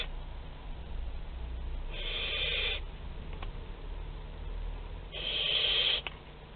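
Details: Young barn owl at the parents' food store in Théding, France, on 10 July 2021: two drawn-out raspy hisses about three seconds apart over a low steady hum.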